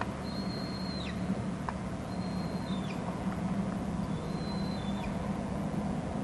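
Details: Camera at a Hornby Island bald eagle nest as an adult brings food to the young: three long, thin, high whistles, each breaking sharply downward, spaced about two seconds apart, with a low continuous hum underneath.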